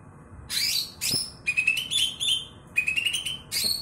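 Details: Loud-voiced Greater green leafbird, kebo type and ex-contest bird, opens with harsh rasping bursts, then runs quick rising whistled phrases broken by rough buzzy strokes.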